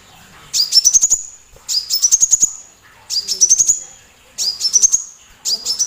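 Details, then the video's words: High, loud sunbird song of the kind used to coax other cagebirds like white-rumped shama into singing: five bursts of quick ticking notes laced with an upward-sliding whistle, spaced about every 1.2 seconds with brief silences between. "PANCINGAN KOLIBRI TERBARU // MASTERAN BUAT BURUNG GACORAN"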